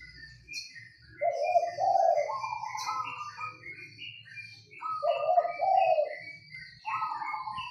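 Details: Zebra dove, a local bird singing in a rattan Mataraman cage, repeats a soft rolling coo phrase of quick staccato notes about every two to three seconds, with a faint low hum beneath.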